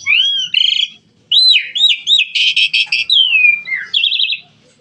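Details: Starling singing at its liveliest: a varied run of slurred whistles, arching notes and rapid buzzy rattles, with brief pauses, almost no background sound.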